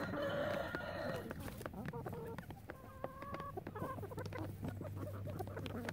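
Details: Calm chicken flock, crowing edited out; a drawn whine opens, then quick overlapping clucks about every quarter second, some held tonal notes, scattered pecking clicks and a constant low machine-like hum.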